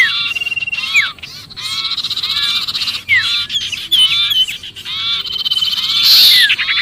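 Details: Sirpu sounding trapped and alarmed, meant to attract other birds: continuous buzzy rapid-fire chatter broken by brief gaps, with downward-slurred whistles and a loud shrill burst near the end.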